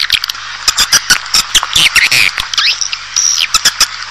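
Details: Swiftlet calls for drawing a colony into a building: spaced sharp clicks and short buzzy twitters, with a brief whistled glide in the middle, over a low steady hum.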